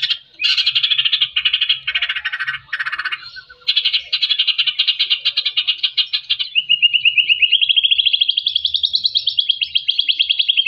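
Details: White-rumped shama in full, energetic song, used as therapy to stir reluctant captive shamas into singing: dense, rapid pulsed trills in bursts with brief pauses, then a long, steadily rising, buzzy rattling trill; no other sounds.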